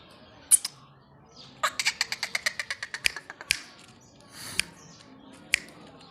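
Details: Black francolin calling indoors: a sharp click, then a run of about fifteen evenly spaced, harsh, grating pulses over two seconds, followed by a few scattered loud clicks.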